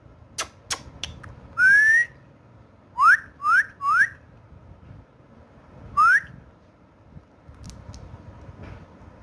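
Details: Indoor pet talking parrot, speaking Urdu/Hindi: after a few clicks, a long rising whistle, then three quick upswept whistles in a row and a final lone one.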